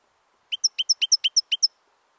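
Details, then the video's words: European goldfinch, recorded 25 October 2013: a quick run of nine bright, clipped chirps, evenly spaced about eight per second, each sharp and high, with a quiet background. "il jilguero, Grdelin,chardonneret"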